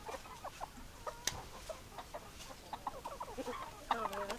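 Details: Hens clucking, brisk series of short clucks and chattering notes, ending in a louder drawn-out squawk with a low tone underneath.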